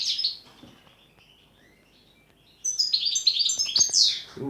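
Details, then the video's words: European goldfinch song of repeated note sequences with pauses: a high twitter, a long near-silent pause with faint soft notes, then an abrupt burst of fast tinkling, buzzy and slurred notes, with a few low knocks. "Štiglić, Grdelin, češljugar PLETIVO ZIJU U ZIJU STANKA"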